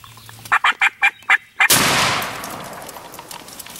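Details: Wild turkey gobbling at close range beneath its roost tree on a Kentucky spring hunt morning in 2013: a loud rapid rattling burst of six throaty pulses, followed instantly by a sharp gunshot blast that rings out and fades.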